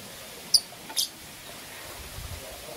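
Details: Two green opaline lovebirds in the morning: two sharp, very high chirps about half a second apart, the second slightly doubled, then a quiet stretch with low background hum.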